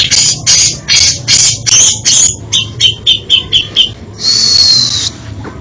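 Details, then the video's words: Grey-cheeked bulbul singing a varied isian (filler) song: dense buzzy high bursts, then a run of about ten quick clipped notes repeated roughly every third of a second, ending in a sustained bright rasping whistle. "Variasi ISIAN Cucak Jenggot ini bikin merinding kicauannya."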